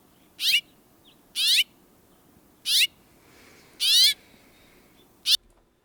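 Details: House finch (Haemorhous mexicanus) call note, from Indiana's St Joseph and Elkhart county region: five quick, bright 'cheep' notes with a slight upward inflection, about a second apart, against a quiet background.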